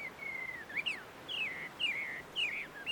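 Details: Chinese hwamei in the wild at a tree-shaded Tenmangu shrine in Joso, Ibaraki, Japan, heard more distantly: drawn-out falling whistles alternating with short upswept notes, over faint background hiss.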